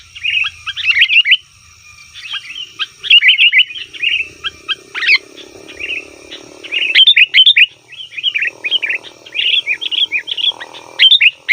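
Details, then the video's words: Sooty-headed bulbul chattering noisily, a lure for wild bulbuls in the forest: rapid, warbled chirp series in several bursts, growing busier toward the end, with faint low background noise. "suara burung kutilang ribut||ampuh untuk panggilan kutilang di hutan,kutilang di rumah pasti Nyaut"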